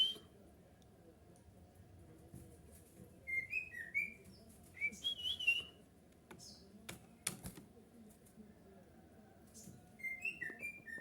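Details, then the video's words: Black-crested bulbul song used as a lure so other bulbuls answer: short bright whistled notes, some rising and falling, in loose clusters around 3–6 and 10 seconds, with sharp clicks and a low steady hum underneath. "suara kutilang emas ini membuat kutilang kita auto nyaut cocok untuk pancing"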